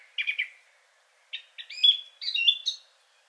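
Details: Male Song Thrush with a rich song resembling a nightingale in places: a burst of quick chirps, a pause, then a run of varied whistled and slurred notes with some sustained high tones.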